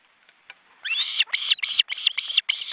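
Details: Osprey at a nest in an Estonian forest reserve, filmed by a live webcam: two adult birds with well-grown chicks flapping their wings. After a quiet start, a run of high, piercing whistled chirps repeats rapidly in short clustered bursts.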